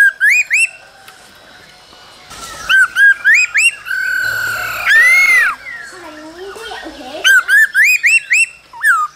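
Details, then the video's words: Laughingthrush male singing in the cold season while dancing, with the female's calls, for stimulating young birds; quick rising whistles repeated in rows, a long swelling whistled phrase, and lower wavering notes. "Khướu trống hót múa kèm tiếng mái ro kích bổi mùa lạnh"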